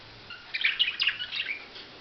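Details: Budgerigar giving a short burst of quick, scratchy chirps and warbled notes, rising and falling for about a second and a half against a quiet background.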